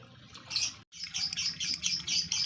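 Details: Male lovebird in breeding condition, singing: a rapid, continuous run of high, scratchy chirps and twitters after a brief silent gap, over a faint low hum.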